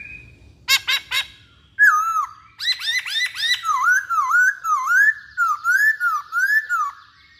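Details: Chinese hwamei singing energetically: a few sharp clipped notes, then a long whistled phrase and a chain of loud, looping, rolling whistles repeated steadily.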